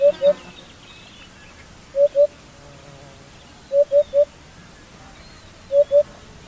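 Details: Hoopoe, guuguule in Somali, found throughout Somalia: low hollow hoots in tight sets of two or three, sets spaced roughly two seconds apart, steady and evenly pitched, with quiet background and faint bird chirps.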